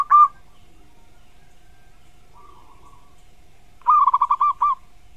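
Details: Zebra dove song, a tutor recording for songbirds: one clipped note at the start, a long quiet stretch, then a brisk phrase of about seven stuttering, rolling coos.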